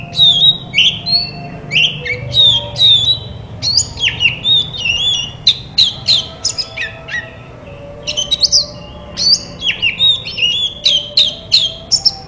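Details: Oriental magpie-robin song used as therapy to make silent magpie-robins answer and sing: a long, varied run of loud whistled phrases, sharp slurred notes and chirps, with short pauses between bursts and a faint low hum behind.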